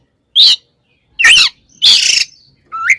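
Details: Oriental magpie-robin giving a fighting song to provoke other magpie-robins: three loud harsh scratchy bursts spaced about half a second apart, ending with a rising whistled note.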